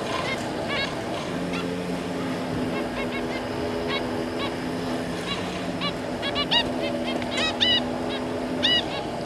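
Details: Zebra finch pair and three juvenile offspring, 26 May 2022: many overlapping nasal toots and quick honking beeps from several birds, growing busier toward the end, over a droning low hum.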